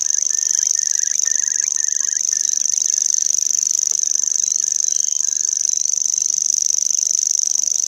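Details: Common grasshopper warbler delivering its long, very high, rattling reel without a break, while another bird repeats short lower buzzy notes in the first half and again briefly later.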